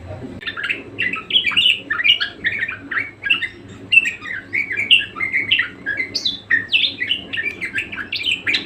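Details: Budgerigar (parkit, kesturi) warbling persistently: chattering stream of short squeaky and scratchy notes, some rising sweeps, varied and continuous, softer level with a low hum underneath.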